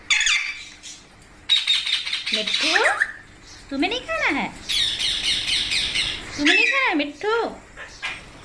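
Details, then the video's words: Parrot, possibly a baby, in India: harsh grating squawks alternating with sharp arching calls that sweep up and down, several in quick succession, with low human speech in between. "Parrot Natural Sounds Compilation | Parrot Sounds |Baby Parrot Sound"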